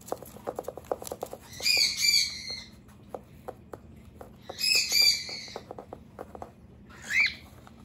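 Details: A pet cockatiel defends its secret base against an attacking human, giving harsh, raspy screeches in bursts under a second long, three in about eight seconds, between sharp tapping and clicking sounds.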